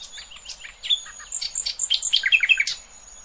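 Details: Nightingale song meant for young goldfinches and hybrids to hear: a jumbled, rapid sequence of high chirps, clicks and short whistles over a faint steady high tone, building in loudness toward the end.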